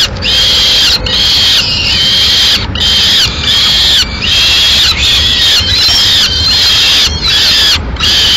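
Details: Peregrine falcons, Madrid. The male feeds his chicks from a captured swift. Rasping arched calls repeat roughly every half second to second, separated by brief silent gaps, forming a rhythmic chain of screeches.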